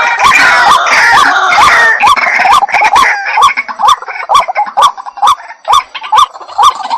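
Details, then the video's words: Rhythmic calling of a white-breasted waterhen, hooked croaks about twice a second, harsh rasping chatter early on, then clear evenly spaced notes with sharp clicks between them. "Jal murgi bird video & sound effect || water hen bird video"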